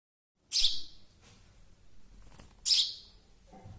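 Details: Baby sparrow uttering two loud, rasping chirps about two seconds apart, with faint rustling in between.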